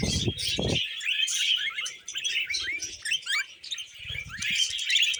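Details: Budgies kept as pets chatter while feeding on vegetables. Bright, scratchy warbling and quick rising chirps run throughout, with a couple of loud low bumps near the start and soft feeding noise later.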